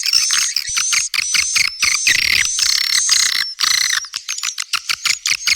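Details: Swiftlet calls for attracting young birds: blocks of busy, high chirping with long thin whistles, breaking into a fast series of short, evenly spaced chirps near the end.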